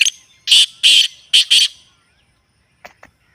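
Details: Black francolin in a natural recording giving four loud, grating notes in two pairs, the first of each pair longer, followed by silence and two faint clicks.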